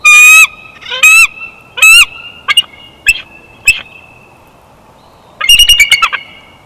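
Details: Bald eagle chortling at the Big Bear Valley nest, 12 June 2021: loud, clipped, piping notes with rich overtones, three long ones then shorter bursts, ending in a rapid stuttering cluster.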